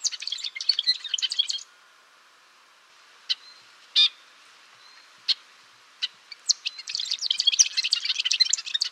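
A golden-rumped euphonia gives rapid bursts of high, jumbled twittering notes, pausing midway for a few sharp single chips before the chatter resumes.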